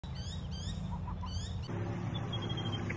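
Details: Ducklings with their mother on a road give high, thin, downward-sliding peeps in quick bursts for the first second and a half, over a steady low traffic-like rumble.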